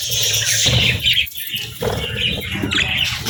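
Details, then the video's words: Budgerigar parents caring for and feeding their chicks: dense, scratchy high chirps and squeals in uneven bursts, broken by a short pause midway, over low thumping and rustling noise. "Cute Budgies With Cute Chicks 🐦 | Adorable Moments & Chirping Sounds"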